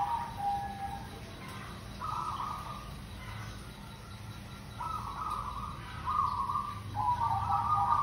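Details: Local zebra dove in steady lure song: a run of gentle cooing notes in short bursts, several ending in a quick bubbling trill, separated by brief pauses, over faint background rumble.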